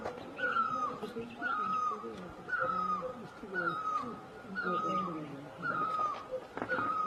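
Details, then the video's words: Asian great barbet calling in a regular rhythm: each note a short, mellow, falling wail, about one per second, with quieter lower-pitched chatter from other birds beneath. "Great Barbet, นกตั้งล้อ, Pehˇ oˍ, Piˇ oˍ loeˇ, Pi luˇ ma"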